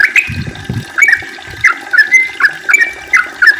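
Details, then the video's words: Yellow-vented bulbul singing a long, rapid song used as a lure to get other bulbuls singing. Bubbly, slurred whistled phrases rise and fall in quick bursts about every half second, with some soft low thumps beneath. "kicau trucukan gacor ropel panjang ampuh untuk pancingan trucuk biar aktif bunyi ropel dan gacor"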